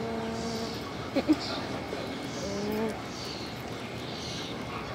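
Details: Nēnē calls in Hawaiʻi: a sustained low, nasal moaning note, a pair of sharp clicks, then a second rising moan, with continuous rushing noise behind.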